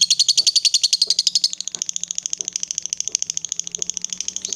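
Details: Female fighter lovebird in long chatter (ngekek), meant to provoke rival lovebirds: rapid shrill buzzy notes in an unbroken run, loudest at first then slightly softer, with faint soft knocks in the background.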